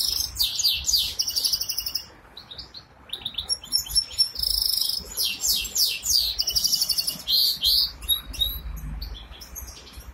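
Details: Goldfinch hybrid kept in Ankara, Turkey, delivering a lively high-pitched twittering song of rapid chirps, buzzy trills and thin piercing whistles, in phrases separated by short pauses.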